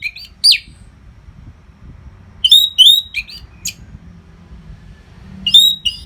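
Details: High, clear phrases from an orange-headed thrush singing without pause as training material for contest birds; whistled notes with quick trills, grouped in a burst mid-clip and another near the end.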